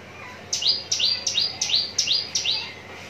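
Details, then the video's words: Javan bush lark, a bird described as ready for song contests, from Citra Raya, Cikupa, Tangerang Regency, Indonesia: a steady series of six sharp, high downslurred chirps, each sliding quickly down, delivered at an even, rapid pace over faint background hiss. "branjangan parva joss siap gantang"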